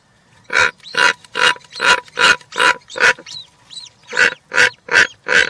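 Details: Harsh, broadband rasping calls at a European roller nest holding three chicks fed with a giant grasshopper, 20 June 2023, repeated evenly about every half second with a brief gap of thinner squeaks.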